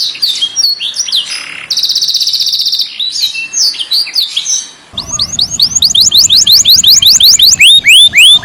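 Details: Canary in master-style song, said to call friends and fight: scattered high chirps and a tight buzzy trill, then a steady series of rising curved whistles about two per second.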